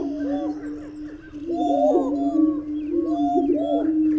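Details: Greater prairie-chicken calls: low, hollow hooting notes swell and overlap above a steady deep drone, coming in bursts roughly every one and a half seconds, with faint higher chirps from other birds.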